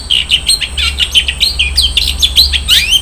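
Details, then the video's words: Cendet, the long-tailed shrike, sings a rich 'isian mewah' fill-in: a fast, continuous jumble of high twittering and warbled notes, some sliding upward, with a steady low hum underneath. "SUARA BURUNG CENDET - ISIAN MEWAH"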